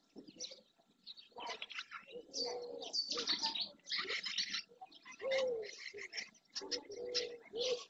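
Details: Many barn swallows, largely juveniles, flock by a marsh shore in Doñana, Andalusia, Spain, in early June. Busy high chirping and twittering phrases come in clustered bursts, mixed with lower, steady hooting notes from other birds.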